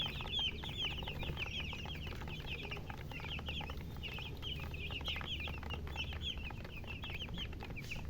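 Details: Chicks chirping: clear, high, slightly downslurred peeps coming in loose runs from several birds, a low hum in the background.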